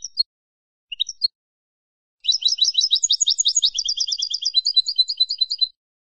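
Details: Tutor recording of European goldfinch song, Malagueño classic ancestral style, meant for young birds to learn from: two short twittering chirps, a pause, then a fast three-second phrase of bright tinkling and buzzy repeated notes.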